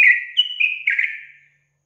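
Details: Short phrase of sooty-headed bulbul song used to provoke rival bulbuls, a loud, liquid whistled flourish of three or four gurgling notes trailing away quickly.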